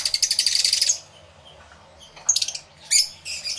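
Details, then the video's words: Aviary lovebirds recorded through two external microphones on a camera. A fast one-second string of high chirps is followed by a quiet gap, then short bursts of sharp twittering. "1 Hour Lovebird Sounds Aviary Series V1"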